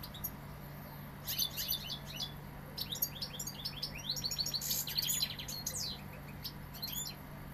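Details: Sevillian European goldfinch giving a rushing series of tinkling, slurred high notes and rapid chirps after a brief quiet opening, over a faint continuous hum.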